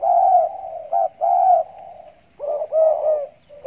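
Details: Zebra dove, a stammering-style bird kept in a hanging cage, cooing right after bathing: low mellow coos with short rising-falling notes in two bursts separated by a quiet pause.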